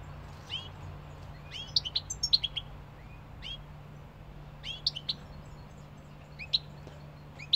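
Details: European goldfinch song in loose clusters of sharp, high tinkling chirps and short twitters, separated by brief pauses, with a steady low hum in the background.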